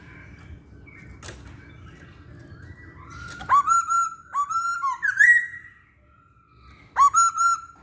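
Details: Masked laughingthrush song used to lure other birds: after quiet background hiss, a burst of clear whistles with a twisting buzzy phrase, a pause, then another short whistled phrase.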